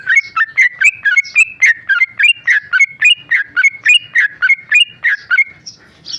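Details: Tame male sooty-headed bulbul, a caged singer, pouring out fast repeated chattery whistles, roughly three or four notes per second, steady and rhythmic for several seconds before trailing off into softer high squeaks.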